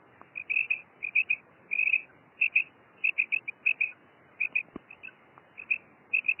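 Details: Paired high notes of a female common quail repeated in clusters over a steady background hiss.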